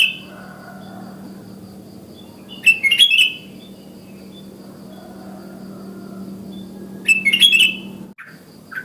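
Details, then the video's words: Wild sooty-headed bulbul calling in the morning to prompt other bulbuls to sing: two short bursts of bubbly, chattering notes about four seconds apart, over a steady low hum and faint background noise. "Burung KUTILANG Ngalas GACOR Suara Isian Alami Memangil Kutilang lain ikut Bunyi"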